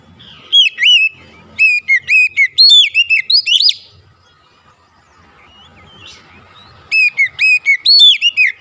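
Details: Kacer, or White-rumped shama, heard in a therapy recording for a bird that has stopped singing: rapid series of sharp upslurred chirping notes in two lively bursts separated by a quiet gap.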